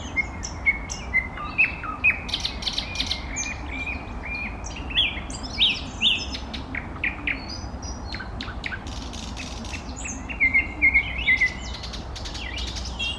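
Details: Eastern (thrush) nightingale singing a varied song: clear whistles near the start, sharp clicks and buzzy notes in the middle, then a quick run of repeated chirps toward the end, over steady low background hum.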